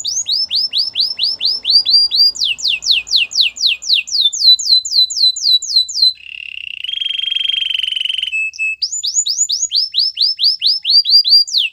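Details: Canary singing a training song: quick repeated downslurred chirps in fast rolling trills, a steady buzzy rattle in the middle, then rapid chirping trills again. Clear and close, with no background noise.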